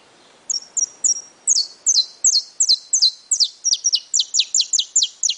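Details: Pardo-plumaged saffron finch opening with three thin high whistles, then breaking into a rapid, even train of sharp downslurred chirps that carries on to the end.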